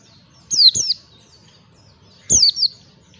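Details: White-eye (pleci) lure recording for training birds in the ngalas song style: two short bursts of high, clear, downslurred whistled notes, each burst of two quick phrases, about 1.8 seconds apart, with quiet between.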